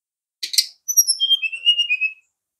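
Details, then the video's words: A double harsh click from a brown-chested jungle flycatcher, then a quick warbling trill of clear whistled notes that slides steadily lower over about a second. "SRDC sikatan rimba dada coklat"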